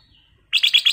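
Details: Kutilang emas, the black-crested bulbul, delivers a quick run of four clear, bright syllables in even succession after a soft, thin whistle, as chatty lure singing.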